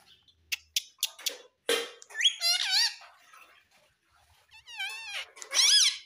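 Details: Baby rose-ringed parakeet kept as a pet: a few sharp taps and clicks, then two bursts of raspy, wavering screeches with rich overtones, the notes bending up and down, separated by a short quiet pause.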